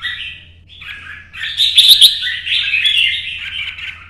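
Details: Red-whiskered bulbul singing in competition style while running along the perch, starting with soft chattering notes and building into a loud, dense, bubbling warble that carries on to the end over a faint hum.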